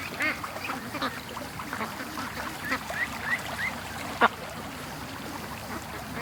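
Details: Penned ducks released in the morning and hurrying to the creek; a few hoarse quacks, then a run of short upward squeaks and one sharp clack amid a hissy outdoor background.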